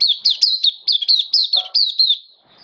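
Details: Oriental white-eye, a caged songbird recorded on 11 September 2022 in open song: about ten rapid high warbled notes with rippling slurs, a short low murmur midway, then the phrase trails off.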